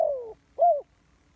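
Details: Decoy spotted dove for bird trapping: a gently falling soft note followed by a brief, louder, arched coo, then silence.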